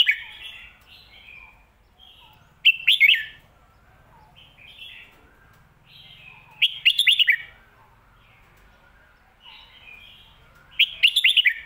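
A red-whiskered bulbul sings bright, bubbly whistled phrases. A loud, rollicking burst of a few notes comes about every four seconds, with softer chatter in between.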